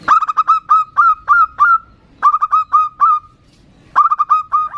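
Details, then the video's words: Zebra doves calling to each other, female to male, the male a loud local bird: clipped rapid notes running into longer, slurred, resonant coos, in three phrases with brief silences between. "Perkutut betina memanggil jantan bersahutan dengan kutut lokal gacor jantan suara besar"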